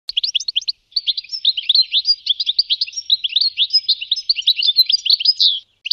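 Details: A European goldfinch (Carduelis carduelis) calls, giving a fast, tinkling stream of high, liquid twitters broken by one brief pause near the start, with no other sounds standing out.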